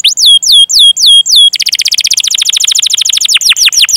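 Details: Domestic canary in full, long song, used as a tutor lure to prompt young, untrained or silent canaries to sing: five loud downslurred whistles, then a fast rolling trill of rapid repeated notes, ending in sweeping slurs.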